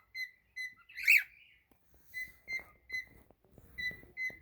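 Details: Cockatiel singing, a series of level whistled notes repeated about every half second with one louder harsh slur, faint clicking and rustling beneath.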